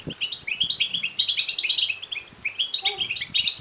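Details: Begging goldfinch chicks give a fast, high-pitched chatter of short, buzzy notes in overlapping runs with a brief pause midway. The chatter is meant to stir males into song and mating.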